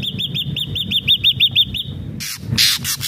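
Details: Ashy drongo in lively, vigorous song: a fast run of about ten bright arched whistled notes, each rising then falling, repeated roughly six per second, ending in harsh broadband rasping bursts.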